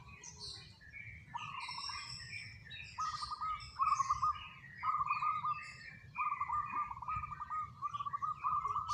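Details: Local zebra dove repeating short pulsed cooing phrases about every one to one and a half seconds, six phrases in all, with busy high chirping of other birds throughout.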